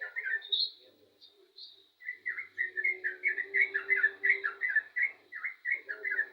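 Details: Yellow-vented bulbul singing vigorously: a brief burst of notes, a short pause, then a fast run of short, bubbly, chirping phrases repeated over a steady low hum and a faint high tone.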